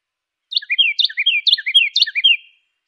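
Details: Carolina wren song: a ringing two-second run of about four repeated three-part phrases, each sliding down then up, delivered evenly and clearly with no background noise.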